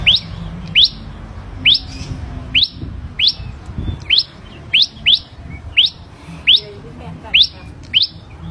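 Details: Captive ashy prinia, hand-reared from a young age, sings a long series of quick upward-sweeping whistled notes, about one per second, with faint low background noise.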